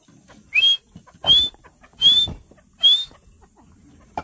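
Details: Partridge calling: four clear, sharp rising whistles, each sliding upward, spaced under a second apart, over faint low background noise.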